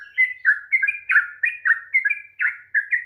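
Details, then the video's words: Long-phrased sooty-headed bulbul song meant to stir a lazy bird to sing, made of quick bubbly whistled notes that alternate up and down in pitch, delivered several per second without pause. "kicauan TRUCUK ROPEL PANJANG// perangsang bunyi trucukan malas bunyi"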